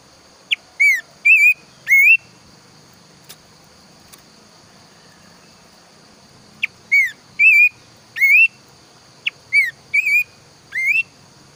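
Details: Planduk semak bird, loud and lively singer heard in the morning and toward evening, gives two bursts of short whistled phrases, each note dipping then rising, separated by a long pause, with a faint constant high tone behind.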